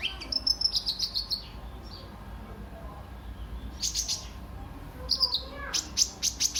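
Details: Brown-throated sunbird, locally kolibri ninja, singing briskly as a lure for other birds: a fast run of high sharp ticks, a quiet gap, then renewed clusters of piercing chirps.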